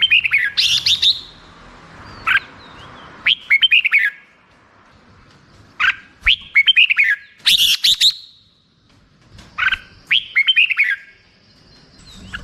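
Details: Red-whiskered bulbul giving short, cheerful phrases of quick slurred whistles, each burst of four to six notes separated by silences of a second or two.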